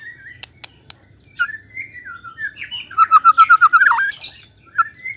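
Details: White-rumped shama song: scattered clear whistled notes and short sharp clicks, then a rapid run of about eight loud, evenly spaced ringing notes with buzzy overtones, ending in a brief falling whistle; quiet low hum behind.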